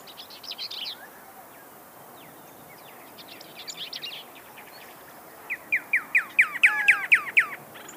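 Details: Pyrrhuloxia song. The first part holds faint, scratchy chatter from other birds. The last three seconds bring a run of about nine sharp, downslurred whistled notes, evenly spaced and growing louder.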